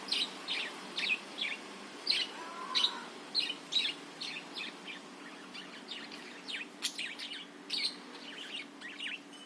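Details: Budgerigar song meant to excite other birds into singing: a rapid, continuous chatter of bright chirps and clicks, packed closely together throughout, with a faint low hum.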